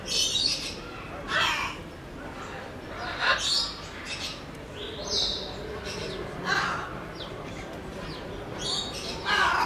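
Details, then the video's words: Zoo-kept sulphur-crested cockatoo in Belgrade, Serbia, 2021: a series of short, harsh screeches repeated every one to two seconds, with a brief higher whistle among them. "Žutoćubi kakadu│Sulphur-crested Cockatoo│Cacatua galerita"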